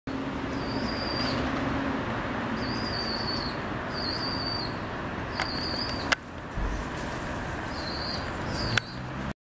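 A young rock dove gives thin, high, squeaky "peee-peee" whistles in short bursts every second or two, over a steady low hum of traffic.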